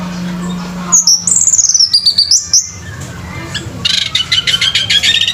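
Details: Orange-headed thrush (anis merah) at a bird singing competition: after a low steady hum, a loud, high whistled phrase slides downward with sharp notes, a pause, then a fast burst of rapidly repeated high chips.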